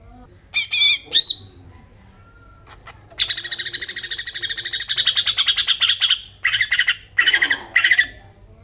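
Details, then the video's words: Greater green leafbird singing, a recording meant to provoke other birds into song; two short harsh squawks, then a long rapid buzzy trill lasting about three seconds, followed by scratchy chattering bursts. "Besetan cucak ijo mewah cocok buat pancingan burung bahan"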